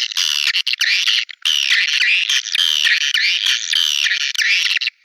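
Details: Swiftlet calling sound used as a lure to attract swiftlets: loud, dense buzzy chittering in long continuous bursts with rising and falling twitters, broken by brief gaps, with no low-pitched sound at all.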